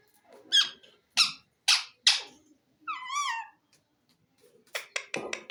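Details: Green ring-necked parakeet talking indoors: four loud harsh syllables spaced about half a second apart, a wavering warbled phrase, then a quick burst of raspy chatter.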